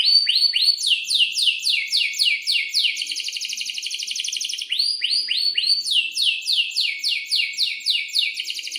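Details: Canary in full, vigorous song, rolling long and sharp in breeding condition. Its rapid series of rising, slurred high notes repeat about four times a second, with a brief buzzy trill in the middle. The song is played to coax young birds into singing.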